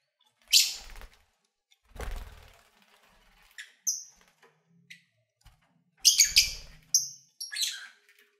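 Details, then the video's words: Pet lovebirds while eating and playing: harsh, high squawks and brief whistles in scattered bursts, with low thumping and rustling noises between calls. "1 Hour Lovebird Sounds"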